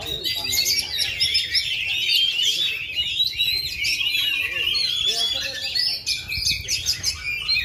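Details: Oriental magpie-robin, a kept bird that has not moulted for 2.5 years but still performs at full power, sings an unbroken run of high whistles and sharp chips with conversation murmuring in the background.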